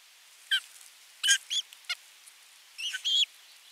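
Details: Osprey calling at the nest on 27 June 2022 after delivering a fish and watching the feeding: short, high, slightly rising whistles in small irregular groups with brief pauses.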